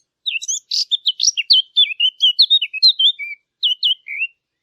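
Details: Lively bird chirping: a rapid, irregular chatter of high whistled notes and buzzy chips, many bending up or down, running for about three seconds before a short pause and a few final slurred tweets.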